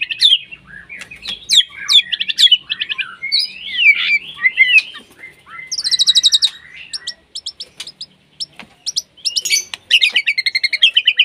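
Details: White-rumped shama in breeding condition, singing steadily to call a rival: varied whistles and buzzy notes that run into fast, rattling trills of repeated notes.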